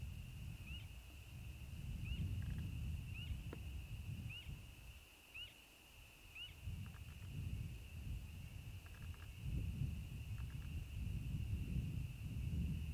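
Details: A bittern gives its "onk-a-chonk" or "gulping water" call: deep, hollow, gulping booms in loose bursts every second or two, over a thin steady high whine with short repeated chirps and some clicking.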